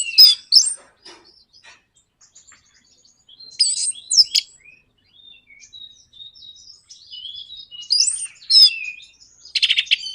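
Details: Orange-headed thrush in a 'nraktak konslet' song used to provoke other birds into singing: scattered high chirps and whistled fragments arrive in loud bursts, with quieter twittering between them.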